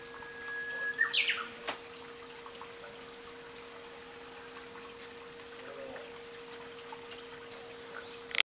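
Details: Japanese bush warbler at a hydrangea temple in Omuta, Japan, gives a held whistle ending in a short bright flourish, followed by long quiet with a steady electrical hum and a sharp knock at the end.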